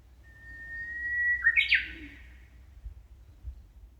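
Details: Songbird in a shaded park walkway in Amakusa, Kumamoto, Japan, in early summer heat: a long, level whistle builds gradually, then snaps into a quick, ringing, twisting ending phrase. Faint low thuds afterward.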